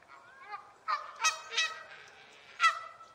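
Canada goose giving loud, nasal honks, about four in three seconds, irregularly spaced, with fainter honks between.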